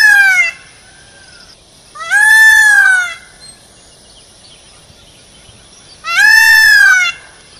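A peacock gives three loud, nasal, wailing calls about a second long each, spaced a few seconds apart, over a faint steady high hiss.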